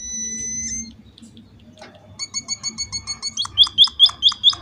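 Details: Munia giving energetic lure calls to make other munias answer; quiet, scattered sounds first, then thin high notes that swell into loud, hooked calls repeated about twice a second.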